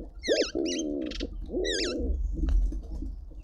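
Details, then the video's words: A speckled pigeon in a suburban garden in Pretoria, South Africa, courts during a quick break from eating: a short rising hoot, then two deep, throaty, rolling coos about a second apart, over a low rumbling background. "Speckled Pigeon call - Quickie Courtship flirting break between eating"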